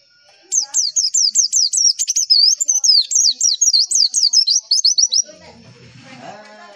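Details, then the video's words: Rapid, high chirping whistles of a Javan white-eye, notes dipping and flicking upward in a steady five-second burst before stopping, then faint lower murmuring. Played as a lure to get other white-eyes to reply. "MASTERAN AMPUH PLECI, Klik sekali semua pleci pasti nyaut"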